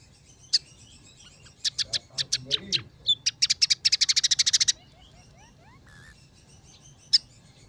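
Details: Scaly-breasted munia (emprit peking) singing with sparrow, red siskin and canary phrases worked in: scattered chirps, then an accelerating trill of sharp notes that ends suddenly, followed by soft twitters and one last chirp.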